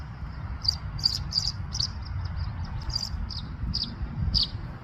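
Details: Tree swallow in spring giving short, high liquid chirps in an uneven series, about two per second, over a steady low rumble and a thin insect-like drone.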